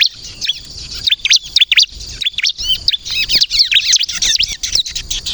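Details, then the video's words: Bar-winged prinia song, a lively 'kristal' type used to lure birds and provoke them to answer: dense, rapid high chirps and sweeping trills packed together with brief gaps, some clicks and knocks beneath. "suara burung ciblek kristal gacor untuk pikat dan pancingan ciblek bahan agar bunyi nyaut"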